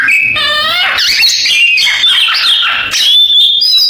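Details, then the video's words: Canary-imitating song of an Oriental magpie-robin. It opens with a harsh, buzzy harmonic note, then runs into rapid, varied whistles and twittering slides, ending on a sustained high whistle. "Suara Kacer kenari falk"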